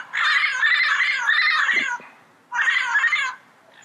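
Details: Yellow-headed amazon screeching: two long, harsh, grating outbursts, the first nearly two seconds of continuous raspy noise, the second shorter after a brief pause.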